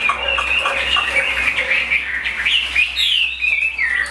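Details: A tame captive Chinese hwamei sings a loud, varied run of rich whistles and slurred phrases.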